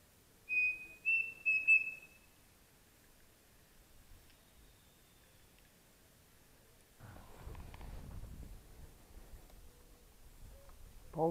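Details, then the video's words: Pavonine cuckoo in fog-bound morning woodland at Mato da Capela, Bozano, Rio Grande do Sul, Brazil, gives three clear, level whistles in a quick run over two seconds, followed by quiet and then rustling, handling-like noise. "Registrando o Peixe-frito-pavonino em Bozano-RS"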